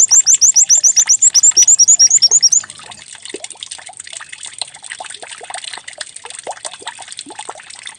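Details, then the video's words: White-eye decoy song, said to be canary-like, meant to prompt birds to start singing: about two and a half seconds of quick, high, rising whistled notes, then a steady trickling, water-like hiss. "Pancingan pleci agar cepat buka paruh || pleci serasa canary"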